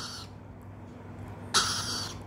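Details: A young Rainbow (Swainson's) Lorikeet chick, answering when called by name, gives two harsh, raspy screeches, the first brief and the second longer a second and a half later, over a low indoor hum.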